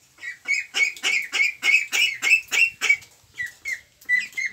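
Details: Ducks at a pond, possibly among mandarin ducks, mallards and Pekin ducks: a rapid series of harsh, nasal squawking quacks, about nine in quick succession, then a few shorter, higher calls after a brief pause.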